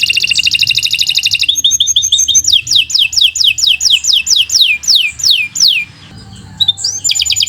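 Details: Canary delivering long song as a master for other birds: rapid dense trill, short repeated chips, then a slowing series of downward-sweeping whistles about three per second, a short gap and another rising trill.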